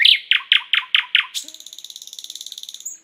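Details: Song of a thrush nightingale, several sharp loud notes in quick succession giving way to a fast, even, high-pitched rattle that fades out.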